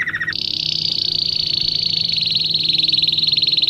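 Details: Canary song meant for training young birds: a short low rolled phrase jumps into a long, high, buzzy trill. The trill keeps an even rapid pulse and grows slightly more distinct toward the end. Faint low hum in the background.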